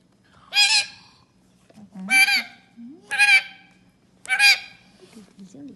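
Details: Parrot giving four loud, harsh, strongly harmonic squawks about one second apart, each rising then falling slightly, with a faint low hum and soft murmurs between calls.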